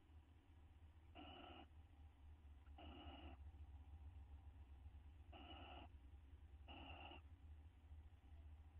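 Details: Nest-box owl pair during bonding, May 9, 2011: four raspy, half-second harmonic calls spaced irregularly across nine seconds, with a persistent low hum underneath.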